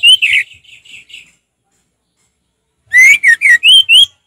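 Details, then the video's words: Orange-headed thrush singing in the relaxed open 'ngeplong' style: loud, slurred whistled notes with ringing overtones, then softer warbled notes, a pause, and a burst of five strong whistled phrases, some rising. "Terapi ampuh Anis merah ngeplong santai"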